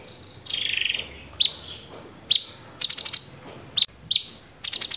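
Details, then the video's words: Cucak cungkok, or grey-cheeked bulbul, in 'tembakan' style. A harsh, buzzy opening note is followed by sharp single chips and quick bursts of four high, rapid notes. "cucak CUNGKOK tembakan GEREJA TARUNG!!!"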